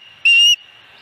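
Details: A single clear, high whistle of about a third of a second from an osprey at its Dunrovin Ranch nest, recorded 26 August 2020.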